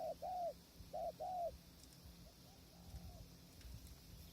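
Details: Spotted dove at a decoy-trapping hide on a windy day: two crisp short-long coo pairs in the first second and a half, then faint distant coos fading into wind and low rumble.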